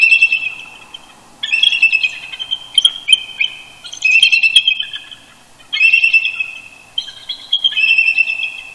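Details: Eagle couple communicating at first light while roosting near their nest at Big Bear Lake, California, November 18, 2018: repeated bursts of high, rattling chortles, each phrase about a second long with short gaps between.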